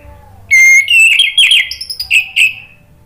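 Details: Energetic orange-headed thrush song used to trigger answering song from a silent bird: a long bright whistle, then a jumble of warbled twisting notes and short chirps, closing with two clear whistles.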